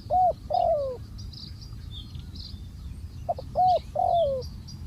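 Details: Decoy spotted dove set on the ground for trapping gives two cooing phrases, each a quick double note then a smooth, longer coo sliding downward, with distant bird twitters between.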